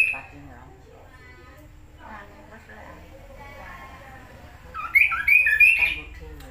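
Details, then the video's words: Kidangan, the Tepus glagah of Indonesia, heard as a training song: quiet low warbling for several seconds, then a loud cluster of bright, rapid whistled notes near the end. "suara kicau Kaso-kaso/Kidangan/Tepus glagah gacor"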